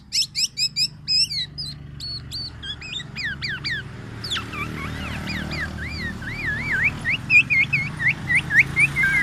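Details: Black-naped oriole, tame and vocal, singing loudly: fast clipped chips and downslurred notes, then a stretch of looping, wavering whistles over a steady low background rumble.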